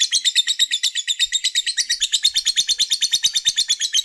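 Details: Lovebird fighter ngekek, a lure song meant to stir rival males into chattering quickly: a fast, steady run of shrill, buzzy pulses, roughly three per second, packed high and continuous through the whole stretch.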